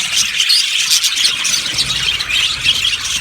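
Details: Aviary colony of yellow budgies producing a steady wall of high, warbling chirps and squeaky notes, several birds overlapping throughout, with a faint low rumble underneath.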